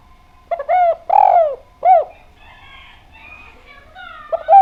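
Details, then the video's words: Spotted dove (derkuku) lure song, actively singing with a clear voice. One low phrase of short notes, a long drawn coo and an arched coo. Faint higher chirps follow, then the next phrase begins. "Derkuku Djawa Gacor Suara Bening, Pancingan Bikin Ngeplong"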